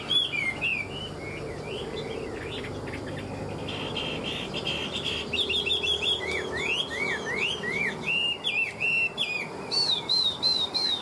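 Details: Hand-tamed caged Chinese hwamei, a wild-caught fighting bird, delivers a long varied song of sweeping whistles, quick trills and repeated slurred notes over a steady low background hum.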